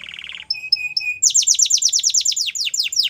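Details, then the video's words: Canary training song opening with a low buzzy rattle and three short paired whistles, followed by a fast, loud trill of sweeping notes about seven per second. "Canary's Most Powerful Song For Training"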